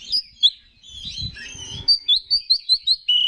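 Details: Oriental magpie-robin singing to stir rival males, with chirps and a scratchy warbled passage partly masked by low thumping, then a clear run of quick repeated whistled notes.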